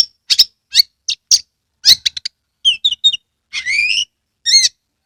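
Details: Kacer, the Oriental magpie-robin, kept as a songbird, delivering a varied song: high clipped notes, rattling chirps, and a longer rising, warbled phrase near the end, with short gaps between phrases.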